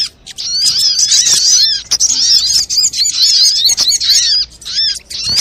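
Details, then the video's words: Sunbird chatter from a lure recording: tumbling, high, slurred chirps run together in long noisy phrases, backed by a faint low hum. "SUARA PIKAT BURUNG SOGOK ONTONG RIBUT AMPUH BIKIN SOGON NEMPEL PULUT"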